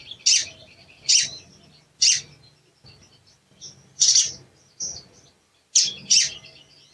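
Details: A male sooty-headed bulbul gives sharp, high challenge chirps, singly or in quick pairs, about every second or two with short pauses; these calls are used to provoke other birds into singing.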